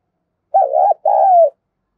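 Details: Calling spotted dove, the call used to provoke other doves: one loud phrase of a wobbling coo followed by a sustained, slowly descending coo, faint overtones above, otherwise silent.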